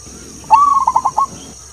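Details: Zebra dove, local wild bird in Tuban forest, Indonesia, delivering one long-toned 'klauww' phrase: a smooth held coo breaking into four fast bubbling beats, under a constant thin high whine.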